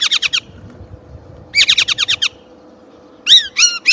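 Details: Chinese blackbird: two rapid bursts of scratchy repeated notes, then three loud, rising-falling whistled phrases; faint hum in the background.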